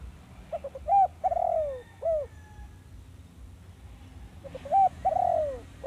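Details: Zebra dove song for luring wild doves into traps: two phrases, each of rapid short notes, a prolonged falling coo and a clipped closing note.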